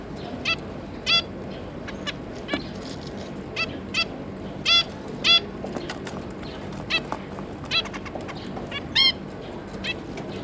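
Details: Zebra finches, adults with three juvenile offspring, uttering short nasal honking calls at irregular intervals of roughly half a second to a second, some louder and doubled, with faint softer calls and steady low hum behind.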